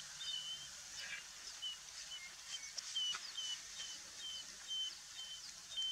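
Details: Merlin (Falco columbarius) sitting on the ground in GRK, Gujarat, giving a series of short, thin, high notes, roughly two per second, faint over steady hiss and wind-like noise.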